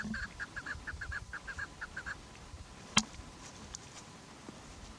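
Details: Chukar partridge giving a quick series of clipped chuck notes for about two seconds, then falling silent; a sharp click follows, over a low background hum.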